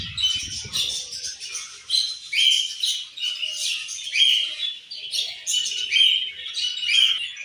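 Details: A group of budgies keeps up busy, high-pitched chirping and warbling, short rising notes repeating over one another, with a brief low rumble at the start.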